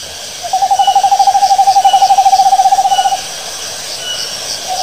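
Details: Owl making a long, rapid trill of evenly spaced pulses, about ten a second, held for nearly three seconds at a steady pitch, then a brief faint note.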